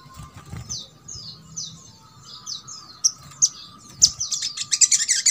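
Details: Little spiderhunter (sogok ontong) song used as a training recording to prompt quiet birds of its kind to sing: thin, high descending slurred whistles in a loose series, then sharper bright chips quickening toward the end over a steady low hum.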